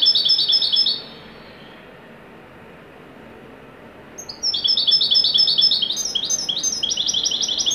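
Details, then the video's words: European goldfinch, Moroccan 'wedani' type, in lively song: a short burst of fast, high, jingling twitters, a pause of about three seconds, then a longer run of quick, chattering, liquid notes to the end. "تغريدة طائر الحسون الويداني المغربي"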